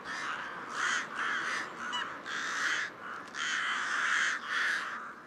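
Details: Harsh, throaty rook caws in long drawn-out bursts, about six in five seconds, loud and rasping with short pauses between them.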